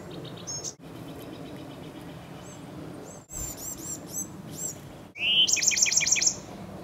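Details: Chestnut-backed chickadee excavating a nest cavity in a dogwood tree gives thin, high chips and short rapid note series, ending in a loud burst of sharp repeated notes over a lower buzzy slur.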